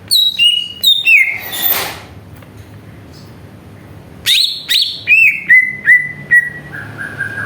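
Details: Greater green leafbird song played as a lure to make other birds sing: bright downslurred whistles, a pause, then a string of six or seven descending whistled notes, each slightly lower, about two per second.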